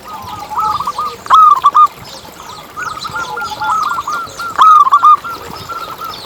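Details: Lure recording of zebra dove song meant to make doves sing. Quick, warbling coo notes run almost without pause, and two stronger, louder phrases stand out above the steady cooing.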